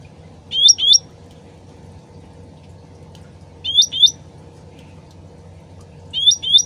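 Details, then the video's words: Original sooty-headed bulbul voice meant to prompt a fast answer: crisp paired rising chirps at intervals of about three seconds, three bursts, over a continuous soft trickle of water. "PANCINGAN CUCAK RANTING SUARA ASLI DAN GEMERCIK AIR CEPAT NYAUT"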